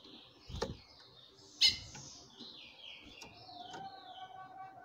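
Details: Female chestnut-bellied seed finch, kept in captivity, calls to stir a male, who answers by singing: two abrupt harsh chips, then soft sliding whistled phrases drifting downward in the background.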